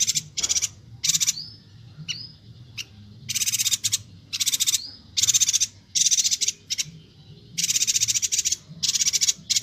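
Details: Bornean yuhina singing actively as tutor material for songbirds; repeated high, rattling chatter bursts alternating with thin slurred whistles, steady throughout.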